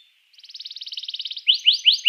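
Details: Canary song meant to spur rival canaries into singing: a rapid, even trill of short high notes that speeds up, followed by four loud rising chirps spaced about a fifth of a second apart.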